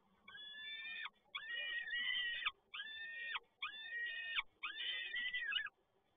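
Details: Male peregrine falcon bringing yet another delivery at PGE Toruń, 7 May 2022: five insistent, rasping wails, each roughly a second long, repeated with brief gaps over a low background hum.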